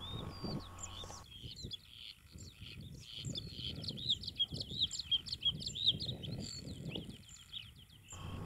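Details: A Bluethroat in Vendée, France, about 100 m from the ocean in very low vegetation, sings a fast, varied song of high twitters, clicks, whistles and buzzy notes that mimics other birds. A low voice murmurs underneath.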